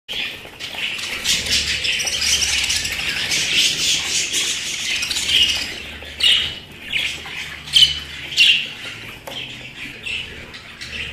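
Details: Pet budgerigars chatter in a continuous busy stream of squawks and chirps. Sharper, louder calls stand out in the second half against the steady twittering.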